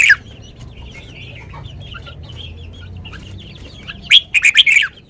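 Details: Caged red-whiskered bulbul singing a sweet lak wai style song: faint chattering notes from several birds for four seconds, then a loud burst of rapid whistled and chirping notes near the end.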